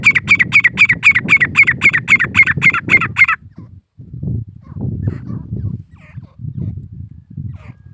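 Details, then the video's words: Very regular, rapid squawking notes from a grey francolin, about eleven in three seconds. Steady low rumbling noise continues throughout and after the calling. "Teetar pakshi ki Awaz | Titur ki Awaaz"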